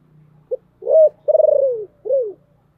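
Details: Spotted dove used as a decoy, deep-voiced, calling to lure wild birds: short note, rising coo, long pulsating coo sliding down, arched final coo, over a faint low hum.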